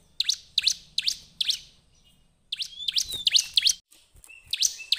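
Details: Lure recording of bar-winged prinia song: spaced sharp, high chirps, a brief silence, then a crowded burst of chirps mixed with thin level whistles.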